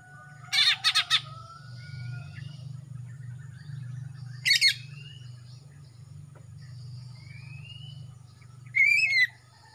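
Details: Young male greater green leafbird from Kalimantan, throat turning black as juvenile spots fade, singing actively. Rapid chattering bursts and a short raspy phrase, a few thin rising whistles, and a final sharp, wavering note over a steady low hum.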